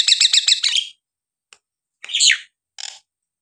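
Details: Nias hill myna singing as a lure to provoke lazy birds: a quick rattle of about six buzzy notes, then a single loud harsh squawk and a short scratchy note.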